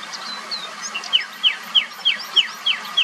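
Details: Common nightingale song: a fast series of sharp descending notes repeated about three times a second, with softer warbled notes before it.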